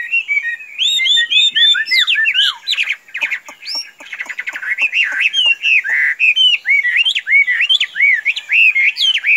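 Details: Loud, rich whistled song from a tame Chinese hwamei that can be let out free and will not fly away: rapid looping notes, a brief buzzy stutter, then a long stream of varied rising and falling whistles.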